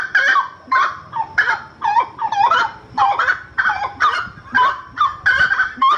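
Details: Slaty-breasted wood rail giving a loud, raucous series of harsh, honking notes, grouped into around ten bursts with brief pauses, pitch sliding up and down within each burst; faint low rumble beneath.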